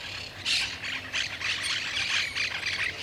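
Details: Grayish Baywings, icterids of open rural areas, woods, parks and gardens in south-central South America, chatter in a busy run of squeaky, bright notes, several birds overlapping in quick bursts about every half second.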